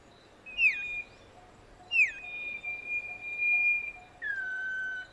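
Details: Garden-dwelling common iora singing: two sharp downward-swooping whistles followed by long steady whistled notes, then a lower sustained tone near the end, spaced irregularly over five seconds.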